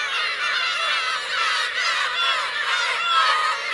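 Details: Black-tailed gull parents with chicks on the Kurosaki coast of Teuri Island, Hokkaido, Japan, 17 June 2021; a steady, dense wash of overlapping nasal mewing calls from many gulls, with no pauses.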